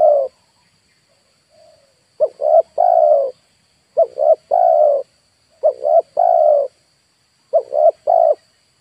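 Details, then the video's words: Spotted dove calling as a lure for wild birds in Indonesia: a soft faint coo, then clear phrases of two short notes and one longer mellow coo, repeated about every one and a half seconds. "DERKUKU/TEKUKUR PIKAT"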